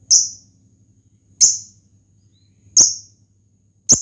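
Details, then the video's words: Fighter lovebird's challenging call to a rival, played to trigger singing in other lovebirds: four loud, sharp high chirps at roughly 1.3-second gaps over a quiet low hum. "lovebird ngetik panjang pancingan ngekek"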